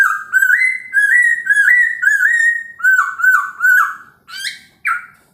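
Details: Morning song of a Chinese hwamei used to rile other birds: steady, clear, repeated two-part whistles about twice a second, ending in two sharper upward notes.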